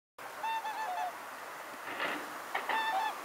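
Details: A family of whooper swans (Cygnus cygnus) calling on the Olt River, Vâlcea, Oltenia, Romania, 1 November 2014: loud, nasal, trumpeting honks, several voices overlapping in quick bursts of two or three notes.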